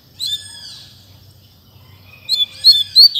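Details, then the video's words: Double-collared seedeater in a cage, fibra song: a long, high, wavering whistle that fades, a pause, then sharp, rising, chirped notes returning. "Coleiro Mack Canto Fibra Dando um Show!!!"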